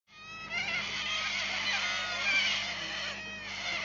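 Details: Corellas at a homestead in the Painted Desert, South Australia: a continuous harsh, screeching chorus of overlapping raspy calls lasting several seconds without pause, with a faint steady low hum beneath.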